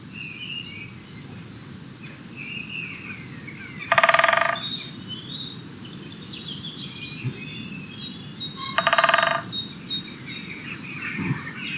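Two short, rapid drum rolls from a great spotted woodpecker, about five seconds apart, each lasting half a second, with faint birdsong in the background.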